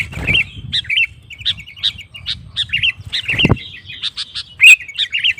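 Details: Sooty-headed bulbul in full song, used to goad rival males into singing back: spaced, bubbly, whistled phrases, with two dull thumps like wing flaps or knocks against a low hum.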